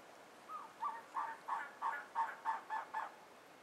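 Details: Two well-plumaged male Elegant Trogons calling to each other in the Huachuca Mountains, southeast Arizona, on April 12, 2009. A run of about nine hoarse, croaking notes, roughly three per second, against a quiet background.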